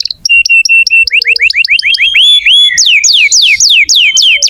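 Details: Canary singing to prompt young or silent canaries: a rhythmic string of short repeated chips, then accelerating rising slurs and a series of loud descending whistled sweeps about four per second.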